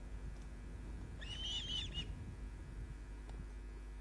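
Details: Osprey at the nest, from a live nest camera on 29 June 2010: a single cluster of high, slightly wavering whistled chirps about one second long, set against low background hum and rumble.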